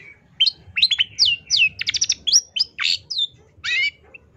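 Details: A long-tailed shrike (Lanius schach) sings a rapid, varied medley of sharp chirps, harsh buzzes and slurred whistles, about a dozen high notes in four seconds, over a faint low hum. The recording serves as a tutor song.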